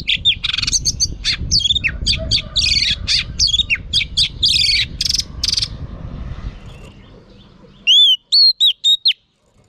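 A female Oriental magpie-robin gives a rapid, varied run of sweet whistles and chattering notes over a low rumble, then four clear rising whistles.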